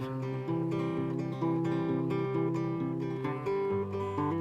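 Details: Acoustic guitar strumming with a plucked melody and shifting bass notes throughout.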